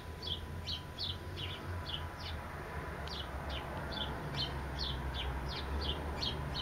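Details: Rapid sparrow chirping, short sharp descending notes repeated more than twice a second, some paired, with a continuous low-pitched background rumble.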